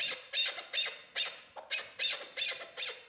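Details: Chukar partridge from Qubodiyon, kept as a hunting decoy bird. It gives loud, harsh clucking notes repeated about every 0.4 seconds in a steady chuck-chuck rhythm, indoors.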